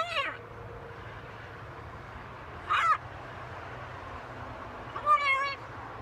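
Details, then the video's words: Talking macaw kept as a pet, out on a balcony: three short, separate, nasal, harmonic vocal bursts spaced roughly two and a half seconds apart over a constant low background hum. "Our talking Macaw"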